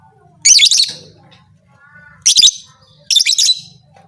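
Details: Shrill, raspy lovebird calls come in three short clusters of rapid screechy notes with quiet gaps, a call said to provoke other lovebirds into fighting mood; faint low background hum.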